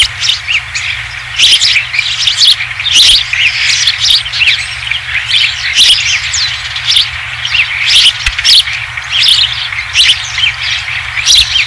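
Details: Osprey returning to its nest on Dunrovin Ranch with the first fish, 20 July 2016. Many overlapping high whistled chirps and squeaky notes pour out in a busy, irregular stream, some louder peaks among them.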